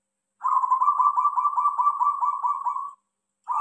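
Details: Local zebra dove singing one steady run of rapid, evenly pulsed coos, about fourteen beats over two and a half seconds, then a fresh phrase starting at the end.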